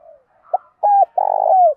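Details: Spotted dove 'kích bổi' calling from a male and female recording: a faint lead-in, a short pip, a clean coo, then a long rolling coo that slides downward at its end.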